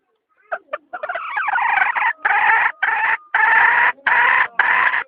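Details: Hen cackling: short clucks quickly swell into a series of loud, buzzy, rough squawks, six or so in about four seconds, each held around half a second, evenly spaced.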